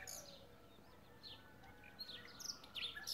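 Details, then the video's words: Spring-day song of a common nightingale, recorded 12 April 2016: scattered high chirps and brief whistled phrases, a few louder bursts near the end, over a low steady hum. "Ptica - slavuj / Bird - nightingale"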